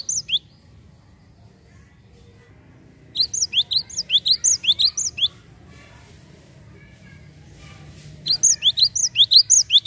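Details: Lure recording of a Java sparrow: short bursts of rapid high chirps, a brief note at the start, a dense run from three to six seconds, a pause with faint noise, then another fast run.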